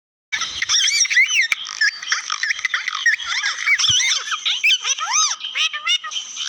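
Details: Parrot talking: a lively stream of squeaky, bent whistles and rapid chattering notes that rise and fall in pitch, coming in quick bursts after a short silent start.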